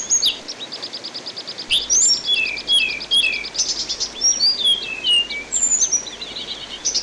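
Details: Tutor recording with water therapy of an orange-headed thrush (anis binbin) singing a long, rich medley of high whistles, downslurred notes and brief chattery trills in rapid bursts, against a continuous hissing backdrop.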